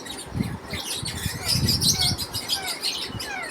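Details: Lovebirds at feeding time, a family of birds chirping in quick overlapping bursts, high squeaky notes and short rising chirps, with low rustling and bumping sounds of the birds moving.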